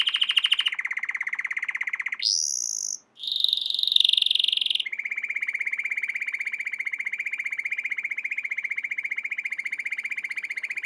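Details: Training song of an American Singer canary: a long rolling trill of rapidly repeated notes that steps up to higher buzzy phrases, then drops back into a steady, sustained low roll.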